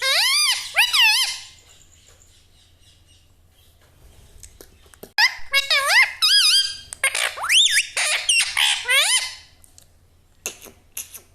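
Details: Pet parrot repeating mummy and mithu mithu: a fast wavering phrase opens, followed by silence, then a long run of rapid, looping, speech-like syllables before it trails off into clicks.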